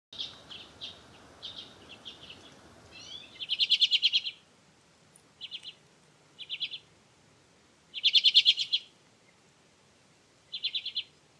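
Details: A Common Redpoll gives dry, buzzy chattering calls in short bursts, a few louder rattling trills among softer twittering, spaced a couple of seconds apart; quiet background.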